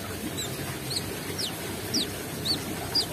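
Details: Brown-throated sunbird singing with open beak, giving sharp, high, downward-slurred chips about every half second, clear above a soft low background noise.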